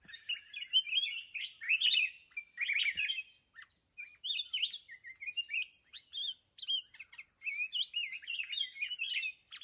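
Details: Red-whiskered bulbul from the mountains, singing near a decoy used for trapping. Rapid runs of bright, slurred whistles and chirps pour out in clustered phrases, separated by one clear pause around the middle.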